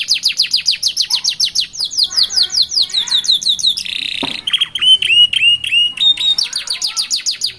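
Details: Young canary chicks singing by a roadside with a unique rhythm: rapid runs of descending high chirps, then a harsh buzzy burst and clearer whistled, falling notes repeated about twice a second.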